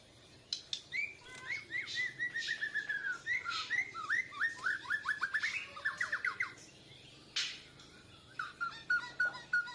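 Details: Young caged Bornean white-rumped shama learning to sing, answering a lure song with chest feathers puffed; fast whistled notes sliding downward in tight series, rapid chattering runs, then a pause and a short repeated whistled phrase.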